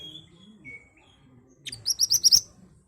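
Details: Ashy tailorbird song used as a lure to draw answering birds: faint thin whistles first, then a loud rapid run of about six sharp, piercing high notes.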